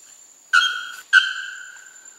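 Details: In Porto Seguro, Bahia, north-east Brazil, November 2012, a young male Bare-throated Bellbird gives two quick, loud, ringing metallic notes about half a second apart, each hard-edged and with bright overtones, over a thin steady high tone.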